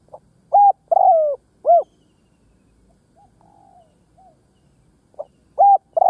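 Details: Decoy spotted dove on the ground cooing to attract wild doves: the end of one phrase with a long falling coo and a rounded coo, then faint distant coos, then a new phrase starting with a short note and clear coos.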